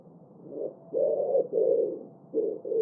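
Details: Common wood pigeon (Columba palumbus) giving its distinctive coo: a series of about five deep, gruff hooting tones with short pauses between them, soft, hollow, low-pitched and unhurried.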